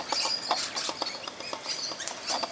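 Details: Quieter, scratchy high chattering and clipped screeches come from musk lorikeets as they feed in a tree one Christmas morning. Soft tapping sounds are heard throughout.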